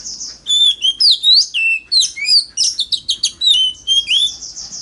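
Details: Competitive song of an Oriental magpie-robin meant to draw in rivals: strong, clear whistled notes that slide up and down, mixed with short rapid chips in a continuous rich phrase.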